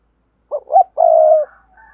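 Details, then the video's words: Spotted dove thúc gù coo, used to teach newly caught doves to coo: two short hollow notes rising slightly, a long even rolling low coo, then a faint trailing higher note. "tiếng chim cu gáy thúc gù dùng luyện tập cu bổi mới gáy theo mỗi ngày"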